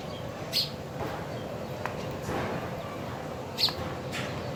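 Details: A sparrow eating food gives two short, high chirps about three seconds apart over a steady background hiss and low rumble.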